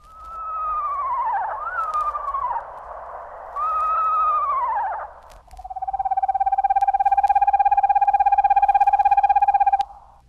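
Eastern Screech-Owl: two quavering, descending whinnies, then a long, steady, even-pitched trill lasting about four seconds.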